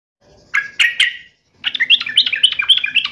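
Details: Yellow-vented bulbul singing vigorously while taunting a rival: a few loud chirps, a short pause, then a fast bubbly run of liquid, warbled notes.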